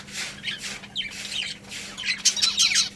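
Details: Colony of pet budgerigars chirping: bursts of high, scratchy twitters and short squeaky notes, with a steady low electrical hum underneath.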